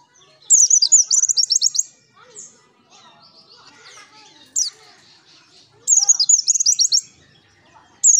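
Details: White-eye (pleci) singing actively in the wild-style ngalas manner, used as a lure: bursts of rapid, high, sharp chirps in rattling trills, separated by quieter pauses with faint softer notes.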